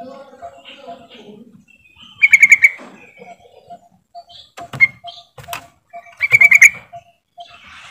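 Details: Call of a yellow-vented bulbul used to set quiet birds singing: two quick bubbling bursts of clear chirpy notes, with scattered softer chirps, a thump and faint ticking between them.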